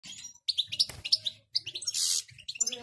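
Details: European goldfinch in a peak of excitement, singing: a quick, tinkling run of high chirps and twitters, broken by a harsh buzzy note.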